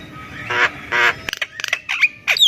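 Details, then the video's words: Javan myna song played to encourage silent birds to sing; two drawn-out grating squawks, then quick clicks and chattering notes ending in thin, whistled slurs. "SUARA ASLI JALAK KEBO SUPER GACOR"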